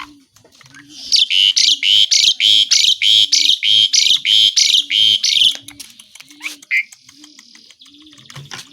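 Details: Asian pied starling pouring out a long, evenly pulsed harsh chatter of about fifteen rapid bursts, then softer clicks and a short whistle, as part of mimicry-rich song; a low cooing repeats steadily in the background.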